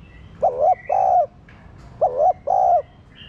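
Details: Cooing of a spotted dove, played to stimulate caged doves: two paired phrases, each a quick curved note leading into a longer low warbled coo, with faint thin bird chirps behind.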